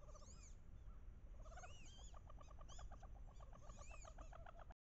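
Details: Hens among paired wood ducks on a bayou in late October, calling loudly to entice drakes. Arching squeals and upward-sweeping whistles, then a steady rapid string of short, evenly spaced nasal notes from several birds.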